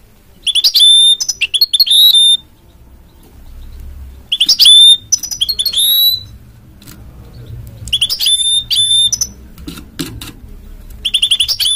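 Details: A hybrid mule of goldfinch and canary delivers several bursts of chirps and long, high whistles, some slurred and rising. Pauses of a second or two separate the bursts, and a low background hum is heard in places.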